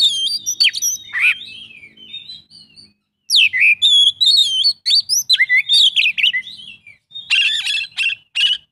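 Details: Oriental magpie-robin delivering a song full of imitations ('isian'), mixing clear sliding whistles with fast chirps and a closing run of harsh, rasping trills, briefly silent around the three-second mark.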